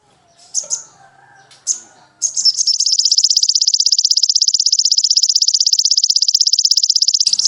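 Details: Sogon, a caged songbird, in a recording used to train other caged birds: a few short high chips, then a long, very fast, even high-pitched trill held for about five seconds, with faint low voices early on.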